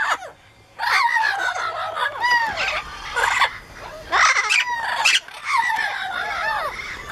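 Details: Captive Amazon parrots, including yellow-naped, lilac-crowned and blue-fronted Amazons, screaming together: loud harsh squawks and rising-falling shrieks in overlapping bursts, each lasting about a second, with brief quieter gaps between outbursts.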